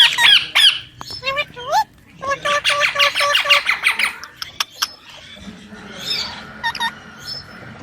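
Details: Pet baby Indian ringneck parakeet, billed as a talking parrot, mixes looping whistled notes, a long stretch of rapid rasping chatter, sharp clicks and a few high sliding whistles.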